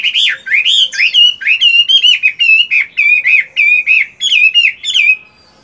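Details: Moulting Chinese hwamei, a caged fighting bird with fine plumage, singing in morning voice training: a continuous stream of loud, clear whistles, each note swooping up and down, delivered in quick succession for over five seconds.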